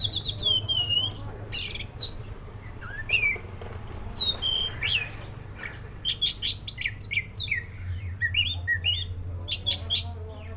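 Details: Long varied song of a black-breasted oriental magpie-robin: looping whistles, sharp chips and buzzy phrases, becoming a rapid chattering series in the second half, over a low droning hum.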